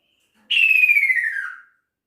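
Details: A male kaso-kaso bird summoning its female gives a single smooth whistle that starts high and glides downward for about a second, in a quiet setting.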